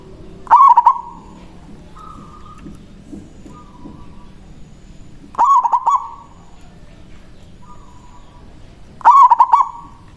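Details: Local zebra dove giving its loud manggung song, used to call a rival and as a lure: three stuttered cooing phrases near the same mid pitch, each a sharp onset then rolling notes, spaced several seconds apart over quiet background.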